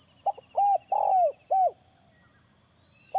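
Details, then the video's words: Spotted dove call for luring birds: a quick clipped note, a sustained coo, a rough rolling coo that drops in pitch, and a curved final note, then a pause before another short note starts. "Suara pikat terkukur original"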